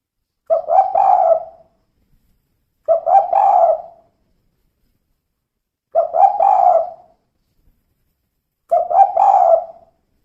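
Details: Four cooing phrases from a female spotted dove in the 'kuk 2' style, roughly every two and a half to three seconds, each a quick stutter of notes running into a drawn-out, mellow, purring coo.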